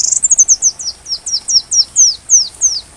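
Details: Sunbird song meant as a tutor for white-rumped shamas: rapid high chips falling in pitch, about five per second, in a fast run of thin descending notes.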